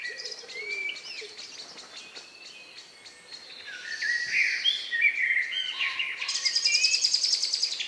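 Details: Several birds sing in the countryside on the evening of May 2, 2020, around 9 p.m., the last singers minutes before nightfall, recorded outdoors in ORTF stereo with a Sound Devices MixPre-3 and Neumann KM184 microphones; whistled and trilled phrases overlap, a dense high chorus swelling near the end.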